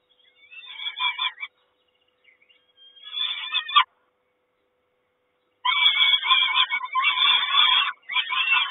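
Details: Peregrine falcon nest, Kawęczyn, 3 June 2022, mother bringing breakfast: two short bursts of harsh chattering cries, a pause of nearly two seconds, then a sustained loud rasping scream.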